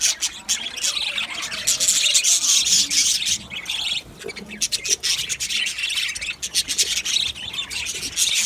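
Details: Budgerigar colony of males in an aviary on 8 December 2025: many birds chirp and warble at once, giving rapid, overlapping high squeaks and twitters that barely pause, with a short dip in the chatter around four seconds.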